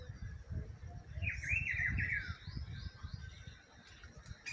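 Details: Spring recording of a Rufous-browed peppershrike giving a single loud warbled whistle phrase, a quick chain of looping notes that falls away at its close, with steady low rumbling noise and faint higher chirps behind.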